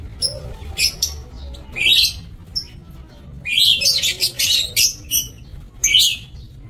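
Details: Lovebirds kept for breeding in an aviary, recorded 27 March 2024, giving shrill, harsh high chirps in short bursts. Separate calls come at first, then a dense cluster of overlapping screeches midway, and a final sharp call near the end.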